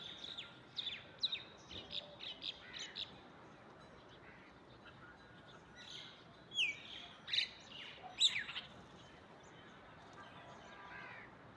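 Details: Morning myna amid other chirping birds: quick high chirps early on, then louder harsh, scratchy notes and sharp whistled slurs in a cluster, fading to faint chatter.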